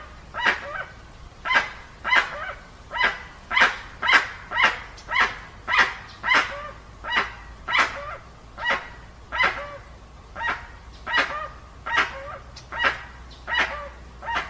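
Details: Dusky-legged guan in a clean, unedited recording: a sustained run of roughly twenty-five loud, hoarse honks, about two per second, some with short nasal tails, steady and insistent.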